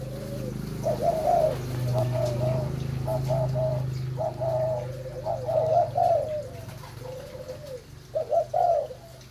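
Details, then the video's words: Malay spotted dove breeding bird giving soft, mellow, hollow coos in short repeated phrases over a steady low hum. "Cu gáy malai"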